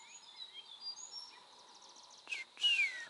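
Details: Common iora giving a quick high trill, then sharp notes and a short falling whistle, with faint bird calls and a steady hum behind, in Gir Forest National Park, Gujarat, India.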